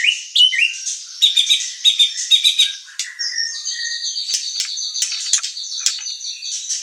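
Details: White-rumped shama (murai batu) song used as a master track: rapid chattering notes and short whistles, followed by a busier, denser scratchy passage.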